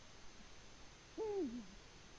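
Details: Nesting Eurasian eagle-owl, Latvia, February 2020, giving one arched hoot after a quiet pause: a quick upward start, a flat middle and a falling, fading end, with faint background noise.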